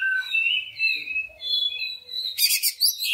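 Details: Greater green leafbird lure song to stimulate other leafbirds: soft drawn whistles sliding up and down, ending in a harsh loud burst and a rising slur.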